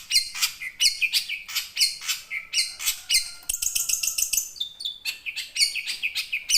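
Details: Young wild long-tailed shrike, song used as a lure for caged birds that stop singing; dense rapid stream of varied harsh and whistled notes, chattering almost continuously.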